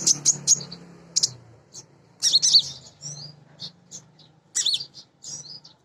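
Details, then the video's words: Captive female sunbird, a nectar feeder, used as a lure bird. Rapid, very high chirps open the song, then scratchy twittering bursts and softer thin notes scatter through the rest, over a faint low hum. "Kolibri Ninja BETINA Ngriwik Nyrecet Nembak Pancingan Paling Jitu Burung Bahan"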